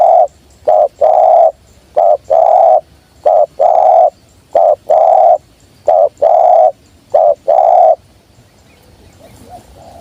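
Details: Spotted dove (tekukur) used to lure wild birds: a rapid series of about seven paired notes over eight seconds, each a short clipped coo followed by a longer mellow coo, then silence.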